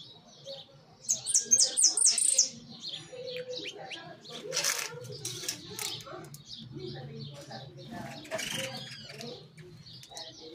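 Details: A hooded siskin sings in a large cage, a fast, jumbled twitter of high, thin notes and buzzy trills, with a low hum and faint voices behind.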